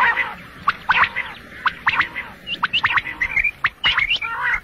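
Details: Male quail calling alone, recorded for morning and night hunting: sharp clicking chirps and rapid upward flicks, several per second, mixed with a throaty churring tone and faint background hiss.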